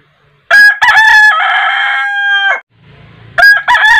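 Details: Rooster crowing in the morning in Asia: a loud harmonic crow opening with short clipped notes, then a long held, slightly wavering note of about a second and a half, followed by the start of a second crow.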